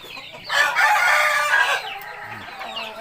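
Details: Crowing rooster: a soft lead-in, then a loud, sustained, harmonic crow of a little over a second that fades off, with a man's voice briefly after.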